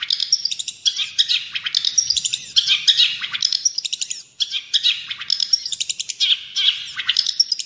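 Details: Long-tailed shrike song for tutoring captive birds: busy varied phrases mixing sharp chirps, high squeaks and harsh notes, delivered in dense repeated bursts with short gaps.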